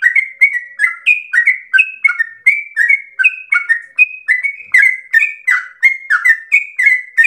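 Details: Yellow-vented bulbul giving an extended 'ropel' song said to echo a straw-headed bulbul: dense sequence of fluty whistled notes at varying pitches, with quick drops between them and no breaks.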